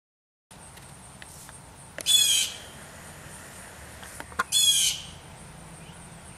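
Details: A blue jay collecting acorns from backyard oak trees to store for the approaching winter gives two harsh, raspy 'jay' screams about two and a half seconds apart, over faint background hiss and a few soft ticks.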